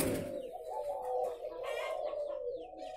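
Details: Captive spotted doves at a breeding farm in Ba Vì district, Hanoi, Vietnam: a dense, low, steady cooing drone from many birds overlapping, with faint chirps and rustling above.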